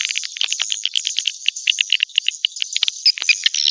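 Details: Swiftlet lure sound played to draw swiftlets to a nesting house: dense, rapid chirps and twitters, high and bright, overlapping in a steady busy stream with short louder clicks scattered throughout.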